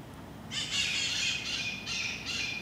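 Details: Wild parrots in San Francisco, a flock on a brief stop in a backyard tree, recorded on an iPod: harsh, high squeaking squawks in several bursts over about two seconds, with short gaps between them, against quiet outdoor background.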